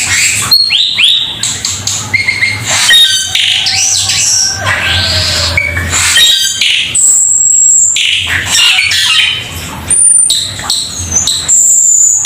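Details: Cucak keling singing a varied mix of clear whistled slurs, high thin piercing notes and short chirps, broken by brief pauses, with a faint low hum beneath.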